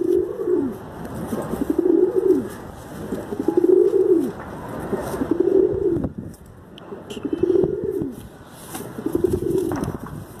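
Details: Steady pigeon cooing: six low, arched, throaty coos, each rising then sliding down, repeated about every one and a half seconds against quiet background noise.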